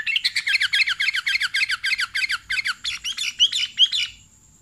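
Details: A sooty-headed bulbul gives rapid, bright chirps, about five a second, ending in a few longer, slurred notes, with no other sounds standing out; the recording is meant as a lure call to attract sooty-headed bulbuls.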